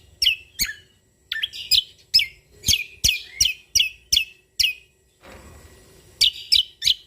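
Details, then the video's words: Energetic song of a Sumatran leafbird from Lombok: clipped, high downslurred notes repeated roughly three per second, broken by a short noisy gap, then resuming with quick paired chirps. "Cucak Kombo Lombok Gacor"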